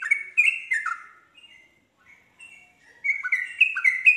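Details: Yellow-vented bulbul song played to make other bulbuls join in: two bursts of rapid, liquid chattering warbles separated by a pause holding a few soft whistled notes.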